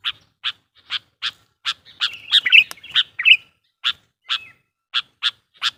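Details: A sooty-headed bulbul calls to excite wild bulbuls: a steady string of short, harsh, buzzy chips about every half second, interrupted midway by a tangled, scratchy warbled burst.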